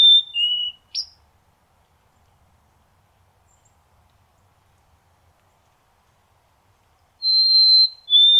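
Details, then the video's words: White-throated sparrow song, North America, recorded close up. It opens with the tail of the song, two lower whistles and a short sharp note. Long silence follows, then two clear, steady whistles that step downward. "Stunning White-throated Sparrow Singing"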